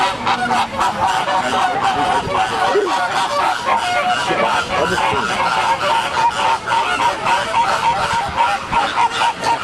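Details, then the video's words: Pink flamingos in a flock at San Diego, giving a dense, continuous chorus of nasal, goose-like honks that overlap throughout, with busy crowd noise underneath. "Розовый фламинго (Pink Flamingos), стая птиц"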